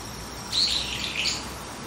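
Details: A brown-eared bulbul calling on a tree branch early in the morning gives a brief, shrill, squeaky call in two harsh bursts about half a second apart, over a faint steady background hiss.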